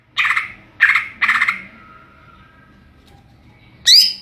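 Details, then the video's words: Greater green leafbird (cucak ijo) singing in the ngeplong style: three harsh, raspy bursts in quick succession, a faint drawn-out tone, then a sharp, bright whistled note at the end. "Burung cucak ijo NGEPLONG2.."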